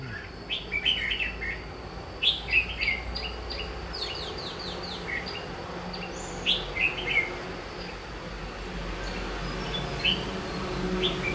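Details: Red-whiskered bulbuls calling during bird trapping: bright, quick whistled and chirped phrases repeated in clusters every one to two seconds over eleven seconds, with a steady high background hum and light ambient noise.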